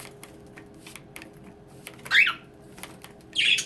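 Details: Indoors, a bunch of pet budgerigars play in their bath, letting out two harsh, buzzy squawks about a second apart over scattered clicks and wing flutters.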